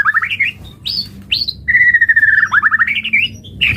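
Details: White-rumped shama song used as a lure to prompt other birds to sing: fast varied phrases of rising chirps, high whistled slurs, then a long steady whistle followed by rapid trills, with faint low background hum.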